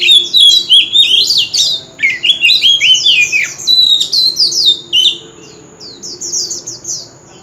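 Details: Male White-rumped shama, contest song with continuous forest-type delivery. Fast, varied whistled phrases with sharp upward and downward slurs pour out steadily, then ease into softer high repeated notes near the end.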